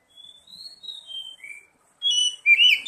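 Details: Oriental magpie-robin singing in a lure recording for prompting song: soft, drawn-out whistles falling in pitch, then a louder, sharp burst of chirping notes at the end.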